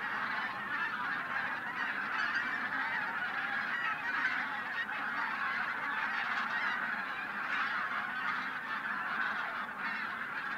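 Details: A flock of over 1,000 wintering bean geese and white-fronted geese takes off before sunrise at Linum pond country, Brandenburg, possibly startled by a white-tailed eagle, in a dense, continuous chorus of overlapping nasal honks and cackles.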